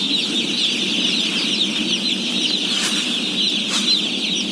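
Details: Day-old chicks, some 17,000 of them, at feeding time: a dense, unbroken wall of high, thin peeping from countless birds, over a steady low rumble and a couple of brief sharp rustles.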